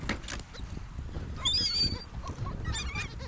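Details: Seagull at a sandy beach on a gulf, interacting with people: a clear, high, wavering cry in the middle, followed by softer mewing notes, over low rumbling surf and wind.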